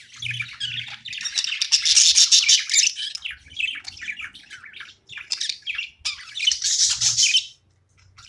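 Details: Budgerigar chirping while playing: fast, rapid-fire scratchy chirps and squawky chatter, loudest in two dense bursts, ending in near silence, with a faint low hum.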